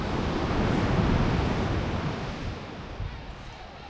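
Broad rushing noise of surf and wind buffeting the microphone, with no clear animal calls.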